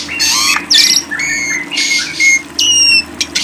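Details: Lovebird song: harsh, buzzy squawks broken into short bursts, with thin whistled streaks rising high between them and a faint steady hum underneath.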